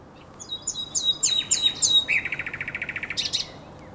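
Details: Common nightingale at night by the Żerań Canal, 23–24 April 2022, delivering a crescendo of rapid descending whistled notes that runs into a fast even rattle, followed by a sharp buzzy burst.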